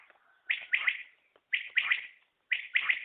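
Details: Three crisp phrases from a common quail, each a quick double or triple burst of bright notes, spaced about a second apart over near silence.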